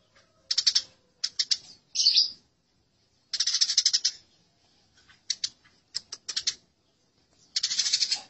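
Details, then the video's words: Eurasian tree sparrows in a fight: scattered short bursts of scratchy chirps and clipped notes at uneven intervals, with a longer harsh run at the end. "Masteran Gereja Tarung"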